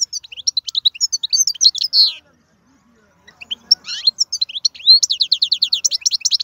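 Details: Strong wild European goldfinch male singing: quick high twittering notes, a pause, then resumed song ending in a long run of rhythmic repeated chirps.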